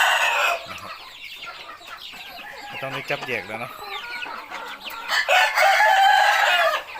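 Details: Roosters on a farm crow in competition with hoarse, wavering notes, several birds overlapping amid clucking and background chatter; some young birds' voices are not yet full.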